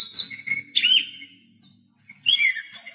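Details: Whistled song of an Oriental magpie-robin, used to encourage a mute captive bird to sing: clear slurred whistles, a long thin steady note in the middle, then a bright warbled phrase.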